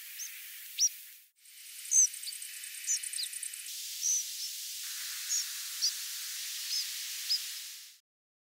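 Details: European pied flycatcher migrating at night giving its secondary call: short, high, fairly strong calls, each a brief sharp hook, spaced irregularly over steady background hiss.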